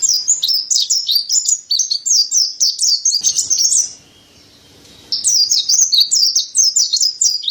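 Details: White-breasted pleci, mountain white-eye, in gacor masteran song: fast repeated high chirped phrases, a brief lull of faint noise, then the lively twittering returns.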